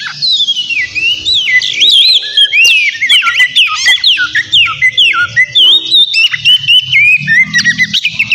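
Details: Oriental magpie-robin singing loudly, a lure meant to make rival birds respond: busy sequences of looping whistles, quick slurs and scratchy notes, continuous and varied, with a soft low rumble beneath.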